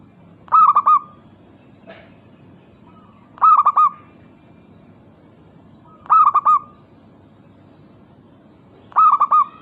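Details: Local zebra dove (perkutut) singing loudly and steadily to make rival doves answer, delivering four evenly spaced bursts of rapid, rolling coos roughly every three seconds against a quiet background.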